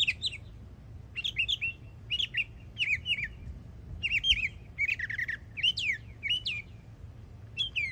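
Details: A young Florida mockingbird sings bursts of varied phrases, some sharp and downslurred, others rising, grouped in bouts about a second apart with brief pauses between them.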